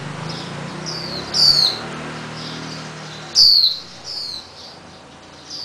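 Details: Swinhoe's white-eye fledgling, possibly injured and kept caged a few days, released and hopping on garage steel beams while parents chase it to feed red berries; two loud descending high chirps with fainter ones, low hum beneath.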